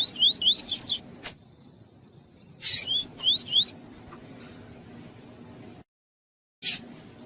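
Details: Female Double-collared seedeater (Sporophila caerulescens) calling to stimulate a male: short bursts of three or four quick, high, rising whistled notes, with a few sharp clicks between them.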